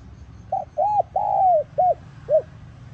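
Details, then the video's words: A single full phrase from a spotted dove, played to lure wild doves: soft short opening note, arched coo, long falling drawn coo, then two clipped rounded coos. "Tiếng Cu Gáy Giọng Hạp BổI ĐỦ BÀI [GỌI BỔI]"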